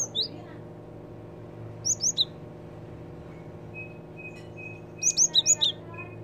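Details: Java sparrow calls used to lure birds: a brief chirp, a trio of high slurred notes, and a final rapid burst of five or six sharp chirps, with a faint thin whistled tone between them.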